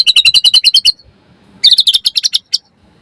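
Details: White-rumped shama lure song meant to set other birds singing: two bursts of rapid, bright chipping notes, about ten per burst, separated by a short pause.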